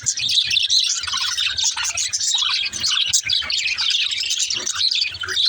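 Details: Young budgerigar song, an unbroken run of bright, rapid chirps and scratchy twittering notes that rise and fall in quick succession, with faint low thumps underneath.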